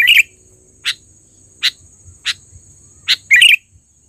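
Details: Trained sooty-headed bulbul calling loudly as a lure: a bubbly phrase, then single sharp chirps spaced roughly every three-quarters of a second, ending in a warbled double note; a steady high tone hums beneath.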